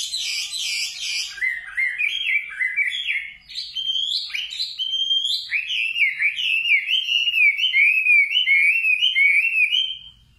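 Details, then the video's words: Nightingale in full song: an opening burst of very high, buzzy notes, then a long, rolling sequence of looping whistled phrases repeated in quick succession before it stops. "Singing nightingale. amazing bird song"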